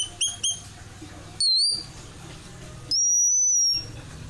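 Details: White-crowned forktail lure sound used to attract birds: two quick high chips, then two long, shrill, thin whistles, each slightly falling and under a second long, over a faint low hum.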